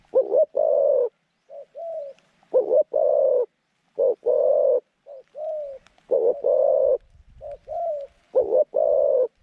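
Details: Zebra dove kept as a trapping decoy to attract wild doves, voice described as middle-pitched and cooing long, delivering steady cycles of brief soft notes and longer rolling coos with a faint rustle near the end.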